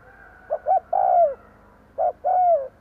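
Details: Decoy spotted dove cooing to attract wild birds: paired short notes, a long mellow descending coo, then a shorter note-and-coo phrase, against quiet background.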